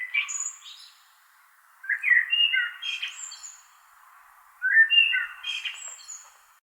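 Blackbird song: three unhurried phrases about two to three seconds apart, each a low, mellow fluted warble ending in a thin, squeaky high twitter.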